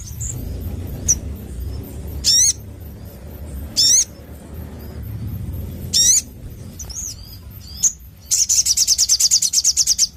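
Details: Crimson sunbird song: several sharp high sweeping notes a couple of seconds apart, followed by a fast rattling trill of high clicks near the end, low background hum throughout.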